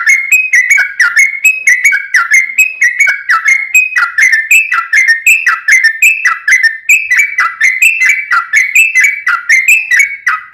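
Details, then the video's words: Long unbroken 'ropel panjang' song of a kept sooty-headed bulbul, used to prompt other bulbuls to sing; rapid repeated whistled phrases, each note dipping and rising, running steadily for ten seconds. "SUARA trucukan gacor ROPEL PANJANG pancingan trucukan agar bunyi JADIKAN burung trucuk gacor NYAUT"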